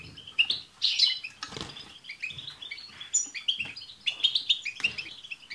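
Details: Several caged European goldfinches sing together in a chorus meant to prompt a pet goldfinch to sing: dense, fast twittering and chattering notes with brief high tss sounds, bursts swelling and fading over a few seconds.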